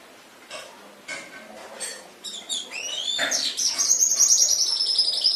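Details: Canary song recorded as a tutor track for training pet canaries: after a few soft, spaced notes, rising and falling sweeps build into a loud, fast, high trill that runs steadily to the end.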